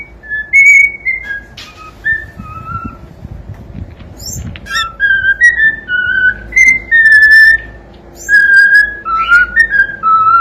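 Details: Cockatiel singing a melodic whistled song of clear tonal notes, some level and some gliding up or down, in phrases with short pauses between them; faint low room noise underneath.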